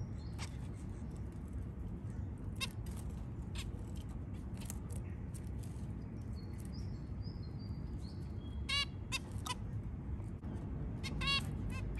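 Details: A white zebra finch early in the morning gives short, nasal, toy-trumpet-like calls over a steady low rumble.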